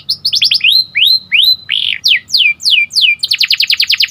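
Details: Morning song of a canary: clear, sweeping slurred whistles rising and falling at a moderate pace, ending in a fast rattling series of short repeated notes.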